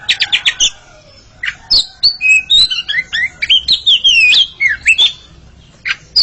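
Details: Oriental magpie-robin pair dueling in song: a quick series of four sharp chips, a pause, then a rich run of looping whistled notes rising and falling, ending with sharp calls.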